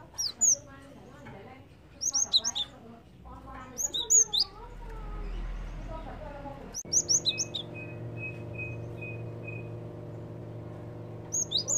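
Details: Lure recording of Java sparrow, played to attract birds. Short clusters of high, sharp chirps recur every second or two, mixed with low voice-like sounds and a steady faint tone in the second half.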